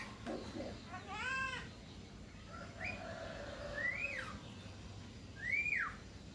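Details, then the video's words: Jalak kerbau, the Javan myna, singing continuously: a harsh ringing rising note followed by clear arching whistles that rise and drop, with a faint lower whistle in the background. "Burung Jalak Kerbau Gacor ngoceh Terus - Jalak Kebo"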